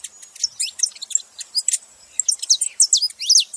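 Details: Fast, jumbled high chips and downslurred whistles from a saffron finch, packed densely, with the notes growing louder and sharper toward the end.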